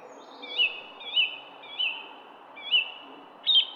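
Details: Garden songbird repeating a clear whistled note with a little upward flick, five times at roughly half-second intervals, the last louder and sharper, over a quiet hum.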